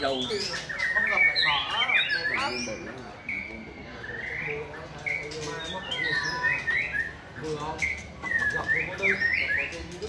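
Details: White-rumped shama giving a rhythmic song of rich whistled notes, short slurred phrases and quick chirps, some swooping downward, delivered in bursts with brief pauses; human chatter murmurs in the background.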